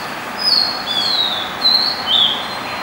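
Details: White-spotted fantail singing at night in Dombivli town, Maharashtra, India; sweet high whistled phrases that slide slightly down in pitch, about four notes spread over three seconds, with steady low hiss behind.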